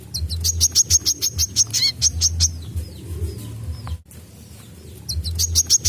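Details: Tutor recording of a vigorously singing brown-throated sunbird: rapid strings of piercing high ticks for about two and a half seconds, a quieter stretch of faint falling chips, then the ticking series restarts, with a constant low droning hum beneath.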